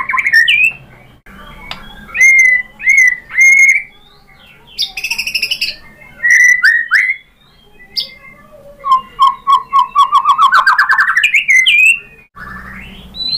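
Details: White-rumped shama lure song intended to provoke rival shamas to sing: varied loud whistled phrases, short high buzzy bursts, and a long accelerating rising trill near the end, separated by brief pauses.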